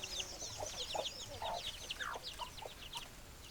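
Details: Chickens, hens clucking: dense chatter of short chirpy notes, with several louder, lower clucks scattered through and a steady low background rumble.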